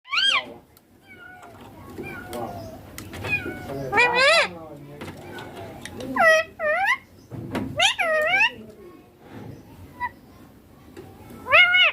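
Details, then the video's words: Green Indian ringneck parakeet talking, said to say papa and mummy: a run of loud, harmonic, wavering syllables in short bursts, some doubled, separated by quieter gaps with faint background murmur. "Ringneck green parrot loving papa mummy bolne wala"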